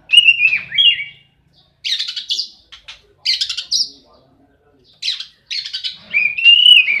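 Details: Fighting Oriental magpie-robin, giving a falling whistled phrase, then repeated harsh buzzy bursts separated by short silences, ending in a rising, wavering whistle.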